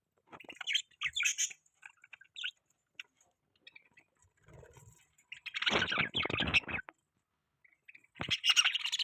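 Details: Budgies chattering as part of mating sounds: scattered soft chirps, then a loud rattling burst of harsh notes around the middle and another raspy squawk run near the end.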